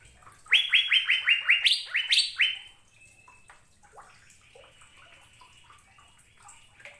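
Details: Asian fairy-bluebird singing with energy: a two-second burst of rapid, upslurred whistled notes, with two higher notes at the end. Quiet, fainter chirps and a thin steady tone follow.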